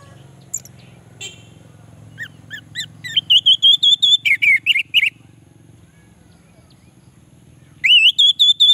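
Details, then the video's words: Orange-headed thrush song for luring lazy males: scattered high notes over a low background hum, then a loud run of repeated sharp, rising whistled notes, a pause, and another burst of the same notes. "Suara Anis merah untuk pancingan"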